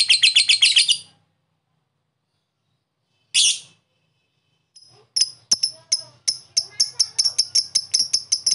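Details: Lovebird giving long chattering calls used as a stimulus for lazy birds: a rapid burst of harsh, high chirps, a short gap, another brief burst, then a quick run of sharp clicking notes.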